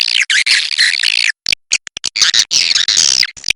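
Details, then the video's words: Swiftlet calls from the Kapuas River: a long burst of rasping, buzzy chatter, then short clicks and sharp chirps, then more sustained overlapping twittering. "SUARA BURUNG WALET SUNGAI KAPUAS"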